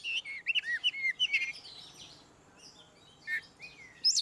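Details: Oriental magpie-robin ngeplong song for prompting rarely singing birds: a quick series of curving whistled notes, then a quieter gap with a few faint phrases and a final rising whistle.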